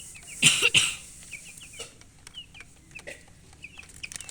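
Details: Colored chickens giving scattered short high peeps, sparse and irregular, interrupted near the start by a loud rustling thump.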